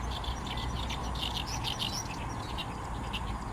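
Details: Oriental reed warbler singing lively in a reed bed beside the runway at Fukuoka Airport, Japan: harsh, grating notes repeated in quick chattering bursts throughout, over a steady low rumble.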